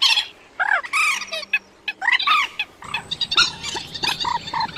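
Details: Rails calling, used as a lure for night net trapping of migrating birds in August 2024. Loud arched, harmonic squawking notes come in quick bursts, with several callers overlapping and short squeaks between them.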